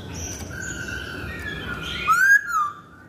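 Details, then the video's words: Masked laughingthrush in a trigger recording used to prompt singing: after faint background chirps, one clear whistled note rises and then slides down near the end. "Pancingan Poksay Hongkong"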